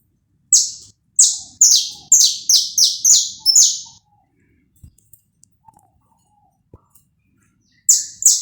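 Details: Saffron finch recorded live without cuts, its song played to warm up another bird: a fast run of seven harsh, high, downward-sweeping notes, a pause with faint clicks, then the same notes starting again.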